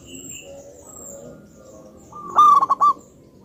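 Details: Very vocal, big-voiced zebra dove of local wild stock used as a lure. After quiet low droning and faint high notes, one loud phrase sounds: a sustained note followed by three quick clipped beats.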